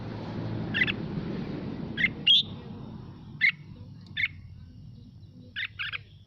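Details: Mào Mộc red-whiskered bulbul singing to stimulate other birds: single and doubled sharp chirps plus one whistled slide, irregularly spaced, over noticeable low rumbling noise that fades midway.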